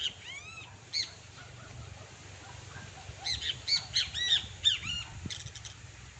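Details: Two great kiskadees, a pair in natural surroundings, call busily: strident, buzzy arched notes with strong overtones, first singly, then in a rapid chattering burst of repeated harsh notes over faint background hiss.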